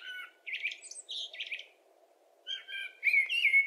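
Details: Common blackbird singing short warbled phrases of fluty mid-pitched notes mixed with squeaky higher twitters, delivered in bursts separated by brief pauses, over a faint steady low hum.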